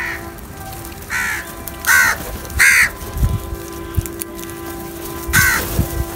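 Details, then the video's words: Crows feeding together, giving harsh, hoarse caws in short bursts, four calls spread unevenly over six seconds, two close together, over a steady low hum and soft background thuds. "Crow Sounds"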